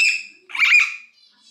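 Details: Three-month-old common hill myna chick, sex not yet known, a pet that cannot talk yet, gives a steady high whistled tone, then after a short pause a louder harsh buzzy squawk lasting about half a second.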